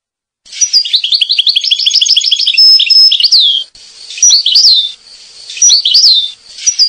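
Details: European goldfinch from Corsica singing: a fast, tinkling run of twittered notes, then short liquid phrases with rising whistled slurs, all high-pitched against a quiet background.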